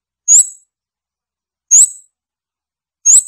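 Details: Scarlet-backed flowerpecker giving three separate thin, very high, sharp notes spaced about one and a half seconds apart, each clipped and metallic, against a silent background.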